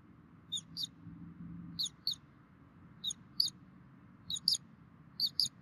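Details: Bald eagles at a nest in Minnesota, filmed by a nest camera on 3 May 2016 near midday while both parents feed the chicks; high, squeaky chirps in quick pairs, repeated about once a second, over a faint low hum.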